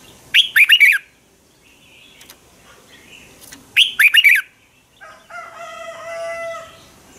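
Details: Red-whiskered bulbul morning fighting song, played as a decoy to train birds and spur them to sing. Two short, loud bursts of quick whistled notes come about four seconds apart, with faint chirps between and a steady tonal hum near the end.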